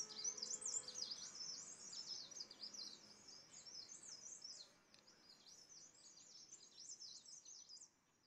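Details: A green-backed tit eating a Himalayan cedar pine-nut in Landour, Indian Himalaya, gives a steady stream of high, thin chittering and twittering notes, several per second, over a faint background hum.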